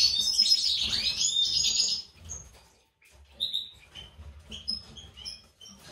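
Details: Goldfinch breeding pair in captivity, white-throat mutation male and standard female: a dense, buzzy twittered phrase, then a pause and scattered short high chirps.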